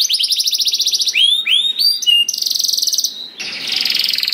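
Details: Canary giving a lure song to set off other canaries, opening with a rapid even trill, then a few deep swooping whistles and another fast high trill fading into a buzzy ending.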